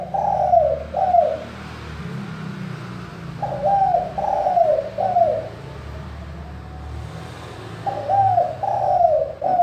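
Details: A spotted dove gives a crystal-clear manggung song, used as a lure to make reluctant doves sing: soft, hollow coo phrases of three or four notes, repeated about every four seconds, over a low background rumble.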